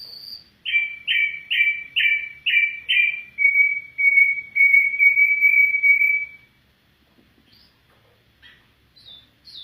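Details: Afghan bulbul calling: six strong, evenly spaced slurred notes followed by a long, level trilled whistle lasting several seconds, then quiet with a few faint high squeaks.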